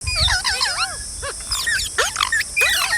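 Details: Several green parrots chatter in a quick run of harsh, arched squawks with rising and falling notes, in short bursts broken by brief pauses and a few sharp clicks.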